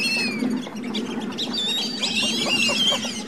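Black-bellied whistling ducks give a chorus of high, squealing whistles, some sliding downward and overlapping, over a steady low hum.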